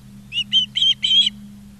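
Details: Osprey at a nest in Charlo, Montana, on 20 August 2023 at 16:04, live nest camera: four loud, sharp whistled chirps in quick succession, each slightly longer than the last, over a steady low hum.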